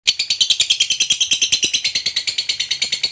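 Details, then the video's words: Lovebird contest fighter in long chattering song: a fast, steady train of shrill, high notes repeated about six times a second without a break for over three seconds. "SUARA BURUNG LOVEBIRD FIGHTER GACOR NGEKEK PANJANG"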